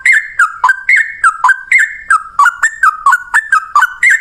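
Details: Yellow-vented bulbul in long rapid song during a fight: clean, clear notes that step down in pitch, repeated briskly about four per second with no other sounds.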